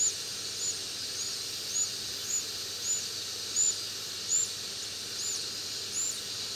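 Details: Four large, healthy brown-eared bulbul nestlings, recorded 17 August 2011, give thin, very high, piercing peeps repeated about twice a second over a steady background hiss.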